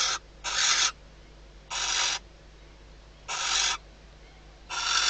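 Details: Female barn owl inside a nest box at Riet Vell Nature Reserve, Ebro Delta, Spain, calling at night days before her first chick hatches, after detecting the male at the outside perch. Five harsh, broad hissing bursts of about half a second, spaced irregularly.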